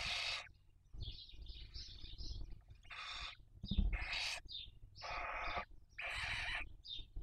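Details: Breeding barn owls with young, Cabañeros National Park, Spain, 2023, heard on a nest webcam: loud rasping screeches about every second, a run of wavering wheezy notes, and a low thump midway.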